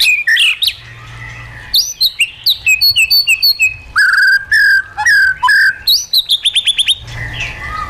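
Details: White-rumped shama singing wild-style (forest-voice) song, recorded for training caged birds: loud varied whistled phrases, rising and falling slurs and rapid high chip bursts, delivered in quick bouts with short pauses between them.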